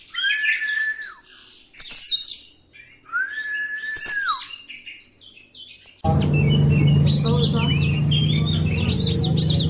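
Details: Oriental magpie-robin rolling song of varied filler phrases, meant to provoke and stir other birds. Long steady whistles with high twittered flourishes, repeated every two seconds, then an abrupt switch to a louder, busy chirping passage over a low hum.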